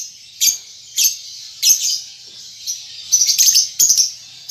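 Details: A young lovebird still learning its ngetik and ngekek song, giving single piercing chirps about every half second, then a quick run of clustered, twittering high notes toward the end.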